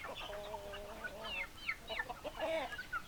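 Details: Domestic chickens, hens and roosters: a drawn-out, nasal, level clucking note opens, followed by rapid, rising and falling squawks and sharp clucks that come in quick bursts.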